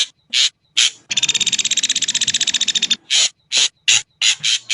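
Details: Ashy drongo song: a few short harsh, scratchy notes, then a rapid buzzy rattle of evenly spaced pulses lasting about two seconds, followed by more separate rasping notes in quick succession.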